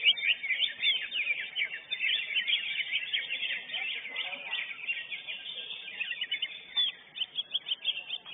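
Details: First-place lesser green leafbird at a singing contest pours out fast, scratchy high chirps and trills in continuous bursts, ending in a run of evenly spaced sharp notes; faint voices sit underneath.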